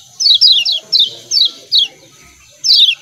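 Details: 'Ciak ciak' calls of a lemon-bellied white-eye: crisp descending chirps, several in rapid succession, then a gap and a final doubled burst, against a constant faint high-pitched hiss.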